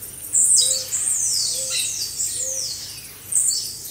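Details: Blue-black grassquits singing together as a group recording for training caged birds: overlapping high, buzzy, sharply falling sweeps in bursts, with a soft low tonal note repeating about every second underneath.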